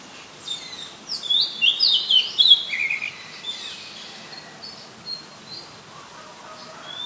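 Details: Wild Oriental magpie-robin in Ubon Ratchathani, Thailand, 18 April 2022, recorded with a Nikon P1000: a quick phrase of varied, slurred whistles rising and falling for about two seconds, then scattered softer notes against steady background hiss.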